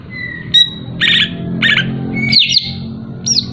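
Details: Greater green leafbird song used to provoke a rival, with short whistled notes, buzzy chattering bursts and sweeping slurred phrases separated by brief pauses, over a low background hum.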